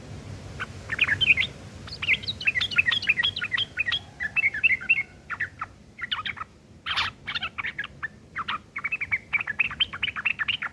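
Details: Harsh, busy chatter of a sooty-headed bulbul in the rough ngeriwik style used to tutor long-tailed shrikes: long strings of quick, scratchy notes in phrases, one loud broadband crack midway, and continuous bursts to the end.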